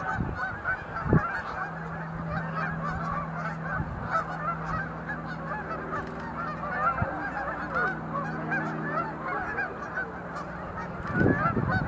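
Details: Sandhill cranes gathered at Montezuma National Wildlife Refuge visitor center in November 2020, some performing display leaps; dense overlapping rolling calls from a large flock throughout, over a low droning hum with a few sharp low knocks.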